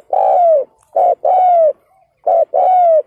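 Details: Ground decoy spotted dove calling hard to provoke and lure wild males: two loud mellow cooing phrases, each a short coo followed by a long, slightly falling drawn-out coo, with quiet gaps between.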